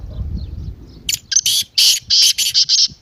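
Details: Partridge (teetar) 'masti' call for rousing a silent partridge: some low background noise, then a loud, rapid string of about eight harsh, buzzy, grating notes run almost together.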